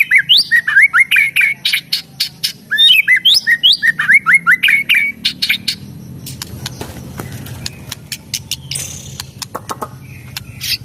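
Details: White-rumped shama singing: rapid bursts of sharp, fast-repeated chirps and high rising whistles, fading midway into scattered clicks and buzzy notes over a low rumbling background.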